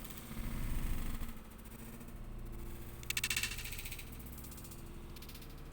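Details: Indoors, a low engine-like rumble and vibration with short bursts of broadband hiss, and no animal voice.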